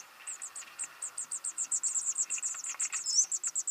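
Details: Young birds being fed: a fast, steady run of very high, thin chirps, about four per second, sounding like an insect trill, with softer lower twittering beneath.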